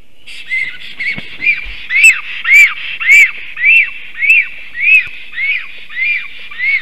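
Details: A male black stork (Ciconia nigra) singing as he comes home to his nest in Latvia, 1 April 2024 at 2:46 pm, gives a steady series of about a dozen thin, arched whistles, nearly two per second, each rising then falling.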